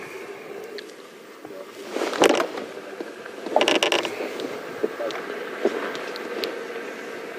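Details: Rattling and scraping from a vehicle, with voices in between and a steady engine hum in the background during a morning safari drive.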